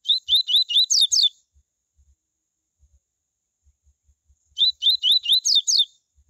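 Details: Coleiro tui tui song meant to get other coleiros singing, delivered twice with a long pause between. Each burst is a quick string of about six high, clear whistles, rising at first and ending in falling sweeps. The background is quiet.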